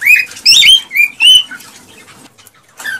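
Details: A male cockatiel sings excitedly to prompt the female to mate and breed: loud, rising whistled notes with strong overtones, four quick phrases, then a pause and one softer closing note.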